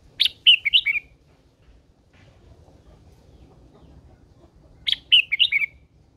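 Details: Red-whiskered bulbul, an old wild-caught female kept as a cage bird, sings to spur males on. She gives two short, liquid phrases of four or five quick, bright warbled notes, about 4.5 seconds apart, over quiet low background hum.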